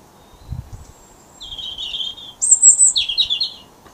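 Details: Robin singing in the dark before dawn in late January beneath street lights, one of several robins calling to each other; a thin sustained whistle, then a falling warble and a high trilled flourish.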